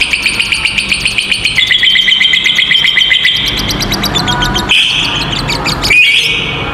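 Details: Two lovebirds giving a long 'ngekek' trill, used as a master song for young or silent lovebirds: fast chattering notes repeated nearly four times a second, rising slightly, over a noisy, rumbling background.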